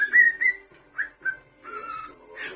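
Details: Pet cockatiel whistling while a television programme plays: bright whistled notes, some held and slightly rising, others short, in bursts over the first half, mixed with dialogue from the show.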